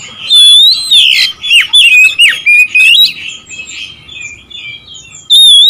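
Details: Oriental magpie-robin singing to provoke rivals: a rich run of loud, rising and falling whistles with quick twisting notes, then a softer warbling pause before a final bright whistle.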